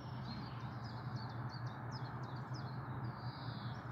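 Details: On a warm, sunny 22 June 2022 morning, a Black Redstart sings a series of thin, high downslurred strokes followed by a drawn-out scratchy note, partly masked by a constant low background rumble.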